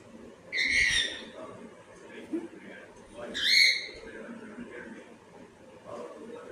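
A cockatiel gives two loud, harmonic, squawky calls, a few seconds apart, like chattering speech.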